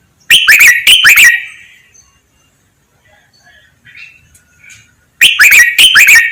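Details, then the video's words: Red-whiskered bulbul master song for training birds, in the counted-note, double-2 "lak wai" style: loud bursts of quick, sharp, bright whistled notes open and close the stretch, with soft faint chirps in the quiet gap between. "นกกรงหัวจุก | เสียงร้องเบิ้ล 2 นับดอก แม่บท ลากหวาย คมชัด ไว้ฝึกนก (เสียงฝึกร้อง)"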